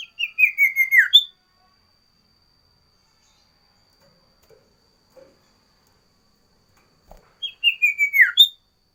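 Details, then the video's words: Loud sooty-headed bulbul song variation: a quick phrase of falling whistles ending on a higher note, then a long silence with faint ticks, then the same phrase repeated. "Suara Burung Sirtu Variasi"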